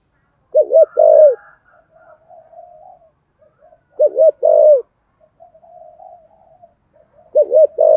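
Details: Cooing of a decoy spotted dove in the thổ style, used to draw in wild birds: three low phrases, each a wavering double note and a drawn-out coo, with a faint murmuring hum between them.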